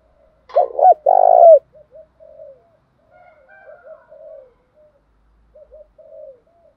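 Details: Spotted dove, male and female voices, used to stir kept doves into cooing: a loud two-part coo, a short note then a longer rolling one, followed by soft, scattered quieter coos.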